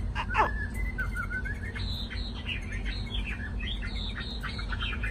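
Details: A single newly caught wild white-browed laughingthrush (Garrulax sannio) in Hanoi, which had started singing quietly in the afternoon, gives a quiet, rambling run of clear whistles and short slurred notes, rising and falling without pause, over a steady low hum.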